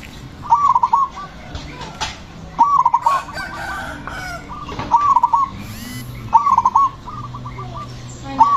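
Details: Loud, aggressive zebra dove singing to stir other doves into song: five bursts of rapid, stuttering coos spaced roughly every two seconds, with softer trailing notes and faint background doves.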